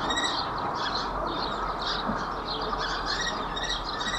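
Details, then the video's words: Common kestrels mating in Babenhausen-Harpertshausen on 26 April 2021 at 17:24, captured by a camera: a series of repeated shrill high notes stacked in harmonics, steady through the clip over a broad background hiss. "Unsere Turmfalken paaren sich / Kestrels mate"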